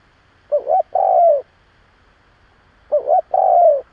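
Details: Decoy spotted dove giving its provoking coo, kept to lure other doves: two loud phrases about two and a half seconds apart, each a brief wavering double note then a long mellow descending coo, quiet between.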